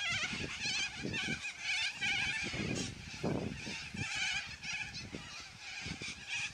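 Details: Yellow-crested cockatoos in a noisy flock, loud squawking: dense harsh screeches overlap almost continuously, wavering and grating, with scattered thumps and rustles below.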